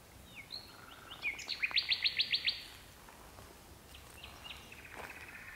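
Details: Nightingale in birch bushes in the gloaming, one of two birds singing: a few sliding whistles lead into a fast series of about seven loud, sharp repeated notes, followed by softer chattering phrases.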